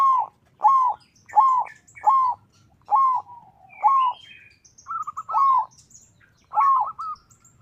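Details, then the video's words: Local zebra dove singing a song said to call out rivals, used as a lure to get other zebra doves singing; a run of about eight short, evenly spaced cooing notes, the last few broken into quick stuttering pulses, over a quiet background. "Perkutut lokal gacor suara mengundang lawan Ampuh dijadikan pancingan perkutut lain 100% ikut gacor"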